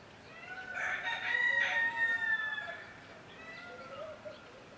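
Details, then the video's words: Peacock giving a loud, drawn-out, wailing cry rich in overtones. It lasts about two seconds and rises, then slides down. Fainter, softer wailing notes follow over a quiet background. "Peacock Sounds"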